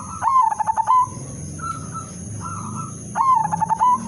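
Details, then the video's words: Melodious lure song of an udanmas silver zebra dove, intended to make other zebra doves sing: a rapid stuttering run of coos that ends in a rising note, two short level hoots, then the same rolling phrase repeated, with a constant high-pitched hum behind. "perkutut/merbok udanmas silver irama merdu spesialis pancingan bikin semua perkutut ikut manggung"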